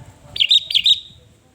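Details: Sooty-headed bulbul song meant to lure and provoke rivals, two quick bubbling whistled notes in rapid succession, each clear and liquid with a short trailing tail, over a quiet low hum.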